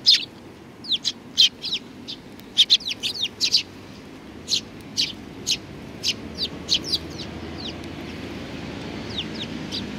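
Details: Sparrows at a Tenmangu shrine on 4 July 2019 give a busy run of sharp, downward-sweeping chirps, clustered in quick bursts early on and thinning to scattered notes, with a steady low hum behind.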